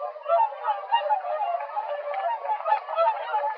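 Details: A flock of whooper swans leaving their roost around sunrise on a January morning in Drenthe, Netherlands, calls together in a steady chorus of mellow, bugling, trumpet-like honks that overlap without pause.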